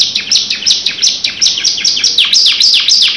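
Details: Canary in full, long rolling song: a loud, continuous stream of high, fast trills and sweeping down-slurred notes, some swooping lower, delivered without pause.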